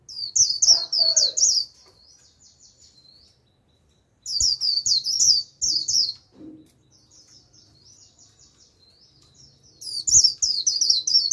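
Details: Lure song of a decoy white-eye calling wild birds in: three bouts of fast, very high chattering warbles separated by softer, thin trills and brief quiet gaps, with low faint knocks in the background.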